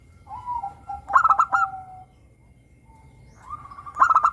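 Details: Zebra dove of local stock, crystal-voiced, used to coax caged doves into song: a soft rising coo, then a rapid burst of clipped notes trailing into a long level tone, and another stuttering phrase near the end.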